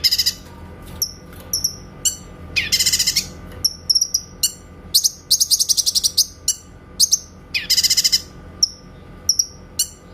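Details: Master training song of a grey-cheeked bulbul (cucak kinoy) with clear 'tembakan' shots: dense rattling bursts of rapid high notes alternating with sharp single chirps throughout.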